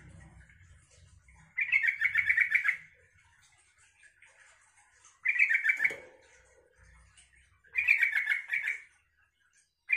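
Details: Yellow-vented bulbul song used to goad other bulbuls into answering: three bubbly, rapidly warbled phrases about a second each, spaced roughly three seconds apart, with faint low rumbling between them.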